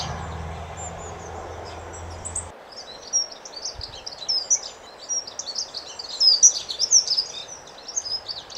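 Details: Dunnock song: a soft, melodious, high-pitched warble. After a brief low hum in the first seconds, a hurried jumble of thin squeaky notes rises and falls for about five seconds.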